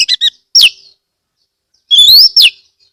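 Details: A magpie-robin from Kebumen, Central Java, sings to coax other magpie-robins into song. It opens with quick stuttered chips, then gives a sharp downward whistle, and after a gap, a long rising whistle that ends in a steep falling slur.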